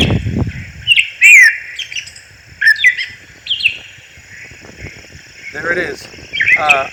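Gray Catbird song: a jumbled run of varied squeaky, slurred and scratchy phrases, each different from the last, with a brief voice at the start.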